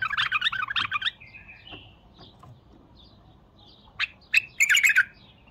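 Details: Bulbul singing: a rapid burst of rich, warbled notes opens, followed by a soft whistled slur, quiet pauses, then another quick chattering phrase of sharp notes.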